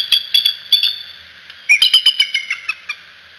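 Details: At the Decorah nest, a bald eagle parent, caught on nest cam, gives two bursts of shrill, squeaky piping notes; the second is a quicker descending series of chittering whistles.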